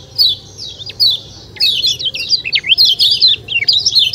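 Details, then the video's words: Kecial kuning white-eye outdoors: a few spaced high chirps, then after about a second and a half a rapid, continuous twittering run of zigzagging high notes to the end, faint low hum behind. "ciak ciak jos kecial kuning suara alam"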